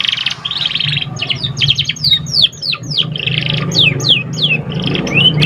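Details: Young canary practising song as a training lure: continuous buzzy chatter interleaved with sharp falling whistled notes, roughly three per second, ending on a rising whistle, with low background rumble.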